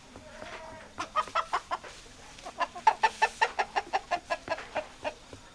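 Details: Hen clucking rapidly and loudly, sharp clipped clucks repeated nearly three times a second in two long runs, over a soft low background hum.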